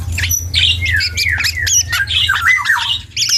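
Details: Juvenile black-and-yellow oriole practising song, giving loud slurred whistles and scratchy squeaks in quick succession over a steady low hum.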